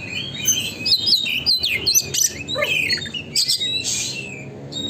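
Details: Oriental magpie-robin singing in the busy 'gacor konslet' style, used as a lure to make a kept bird spread its tail: rapid varied whistles, sliding notes and harsh buzzy bursts, high-pitched and nearly nonstop, with faint low hum behind.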